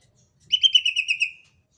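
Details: Sumatran leafbird (yellow-headed green cucak from Sumatra) in a fast 'tembakan' singing burst: a run of about eight quick, bright chirped notes strung together over one second, slightly falling at the end, with a quiet background.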